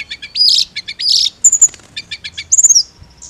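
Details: Blood-breasted flowerpecker therapy audio for a bird that only chirps: quick stuttering high notes lead into two buzzy rising phrases, then thin piercing whistles and a fast run of ticks ending in a descending sweep.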